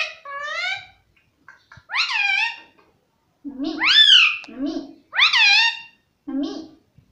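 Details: Indoors, a pet parrot says "mummy" again and again. Its loud, bending, rising-falling harmonic calls come in a string, each trailed by a lower grunt-like note.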